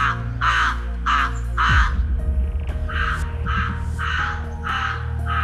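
A crow gives harsh, hoarse caws, about eight in quick succession, roughly one every two-thirds of a second, over a steady low musical drone.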